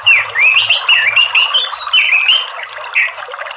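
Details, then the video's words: Orange-headed thrush giving a continuous morning song: a fast chain of slurred whistles that climb and drop, with high thin notes above. A faint low hum sits beneath the opening second. "TERAPI ANIS MERAH PAGI HARI || KICAUAN Ngeplong || Gacor"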